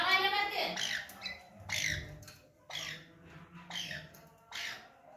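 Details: Grey Francolin, a newly acquired local (desi) bird, giving harsh, scratchy squawks repeated about once a second, with a brief voice-like note at the start and a faint low hum.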